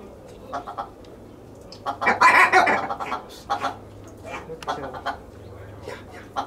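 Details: Captive Willow ptarmigan (Lagopus lagopus) in an aviary in Holland, 19 August 2023, giving harsh, croaking clucks in irregular bursts, with one louder rattling run midway; a faint low hum underlies it.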